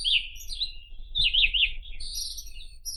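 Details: Rapid zigzagging trilled notes from a White-throated Robin (Irania gutturalis), followed by a dense, scratchy, high-pitched buzzy phrase; faint low rumble underneath.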